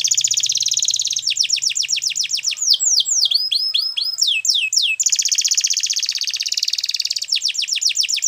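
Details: A Belgian canary sings a long, loud, rapid rolling trill, breaks into tumbling downslurred whistles, then returns to the fast even trill, with repeated note strokes throughout.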